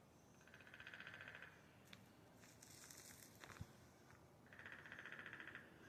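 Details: A woodpecker heard but not seen on a spring morning in Erie, Pennsylvania, gives two fast, even rattling bursts of about a second each, several seconds apart, over a quiet outdoor background with faint clicks and soft hiss.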